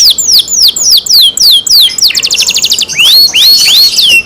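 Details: Song of a kept canary: quick high whistled notes sweeping downward, repeated several times a second, then a dense buzzy trill, followed by rising slurred whistles, all loud and close.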